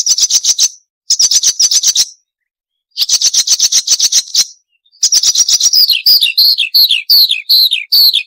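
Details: Loud, sharp Marsh warbler song, full of varied chattering, made for training caged songbirds: three long, buzzy rattling trills broken by pauses, followed by high downslurred whistles repeated about twice a second.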